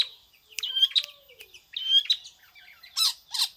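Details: Long-tailed shrike singing in imitation of a prinia: bright high chirps and short whistled notes in uneven bursts, with a few louder scratchy notes near the end.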